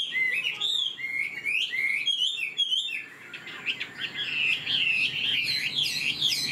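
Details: A caged Chinese Hwamei with new plumage and fanned tail sings with tail flicking: clear whistled slurs, a brief pause, then a rich, fast, tumbling warble.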